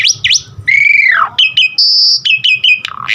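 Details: Asian pied starling singing for training caged birds: sharp V-shaped notes, a long falling whistle, short flat whistles around a high steady tone, ending in a rising harsh note.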